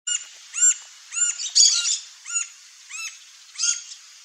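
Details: Green-barred woodpecker, wild in its natural habitat, feeding on ants: short arched, ringing call notes with bright overtones, about six spaced through four seconds, over a steady high hiss in the background.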